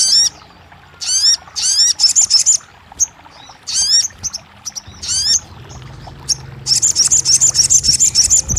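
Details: ['Crested jay producing short bursts of high, rapid chattering notes mixed with sharp down-slurred chirps, separated by brief pauses, then a longer fast pulsed trill toward the end']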